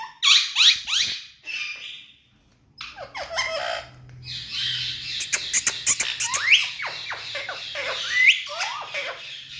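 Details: A tame ringneck parrot first gives warbled notes, then harsh, broadband squawks and quick chattering bursts, with occasional rising whistled slides over a faint low hum.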